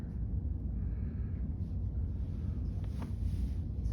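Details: Only a steady low rumbling background noise with faint hiss is heard, and no animal calls.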